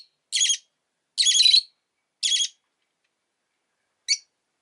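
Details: Rosy-faced lovebird kept as a pet, giving three harsh, buzzy chirps about a second apart, then a short, sharp final chirp after a pause.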